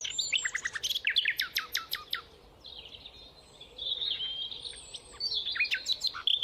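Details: Nightingale, labelled rufous nightingale, though the species is uncertain and possibly common nightingale: rich phrases with a burst of fast, sharp whistled notes, then sweeter sustained warbling and varied chirps, each phrase lasting a second or two.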